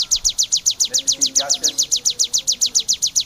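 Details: Ciblek kristal, the bar-winged prinia, in a 'tembakan' singing burst kept as a master and therapy recording for songbirds: steady, rapid series of piercing high clicks repeated several times a second, faint low murmuring voices behind.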